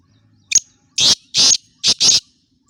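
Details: Black francolin in Khushab giving its loud grating call: a brief clipped opening note, then four rasping notes in two close pairs, sharp and harsh against near silence.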